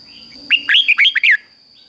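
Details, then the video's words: One clear phrase from a caged Red-whiskered Bulbul in the Thai doubled song style, 'fik-jik-fok', played for chicks to imitate: six rapid rising whistles, slightly slurred downward at the end, over a faint constant tone. "นกเบิ้ลอาชีพง่ายๆ ฟิก-จิก-ฟก ล้วนๆ เปิดไห้ลูกนกฟังทุกวันติดแน่นอน"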